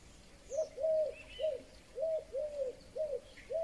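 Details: Eurasian golden oriole song recorded in May 2020: low, mellow fluted whistles in a quick run of about seven arched notes, with faint higher calls of other birds behind; the recordist wonders whether starlings are imitating it.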